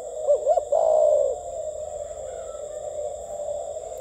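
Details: Spotted dove, a caged bird offered for sale, giving a short low coo with a quick rising-falling opening, then a longer drawn-out note fading within a second and a half; steady electrical hum in the background.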